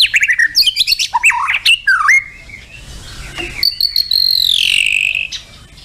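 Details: A white-rumped shama sings a rich, varied run of fast whistles, chattering trills and slurred notes, ending in a long, clear descending whistle; a recording played to encourage captive shamas to sing.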